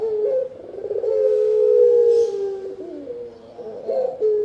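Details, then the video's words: A Spotted dove gives a long, steady, hollow coo with a wavering start and a rough, quavering end, then begins another note. The recording is meant for luring birds and for training. "Burung Tekukur-Derkuku Enak didengan Ampuh Buat Pikat dan Masteran"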